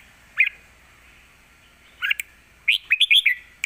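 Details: Red-whiskered bulbul in a cage singing 'lak wai' style, used to teach young birds: an isolated chirp, a short double note, then a quick bubbling phrase of bright slurred notes.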